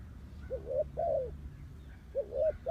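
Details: Spotted dove acting as a decoy for wild doves, giving two mellow coo phrases: a short rising note and then a long arched croo, spaced over a low-frequency rumble.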